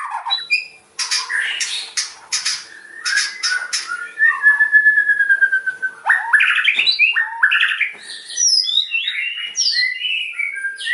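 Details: White-rumped shama song used as a lure, published 22 September 2024: loud, fast, varied phrases of sharp clicks, rapid chattering notes and clear whistles, with one long steady whistle near the middle and high rising trills toward the end.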